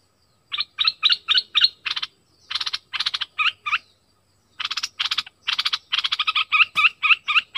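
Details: Bulbul used as a decoy bird, southern Thailand type: series of harsh, buzzy chattering notes, each burst rapidly repeated, given in tight runs about four per second with a short pause mid-phrase; no other sounds.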